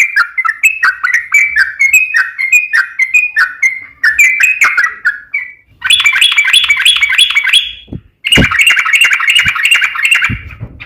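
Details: Yellow-vented bulbul in 'ropel panjang' song, used as a lure so other bulbuls answer. Bubbly chirps repeat about twice a second, then loud fast chattering bursts follow, broken by a brief silence.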